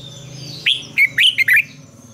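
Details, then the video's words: Red-whiskered bulbul singing a morning training song in the old wild double-note style: a rising upswept note, then three quick bright warbled notes in a short, lively phrase. "luyện chào mào hót sáng, Ép chào mào hót âm kép già rừng hay tuyệt!"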